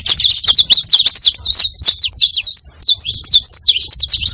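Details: Saffron finch, called canário-da-terra, singing to attract other canaries: rapid, high, chattering chirps and twittering notes packed closely together, several per second, with short pauses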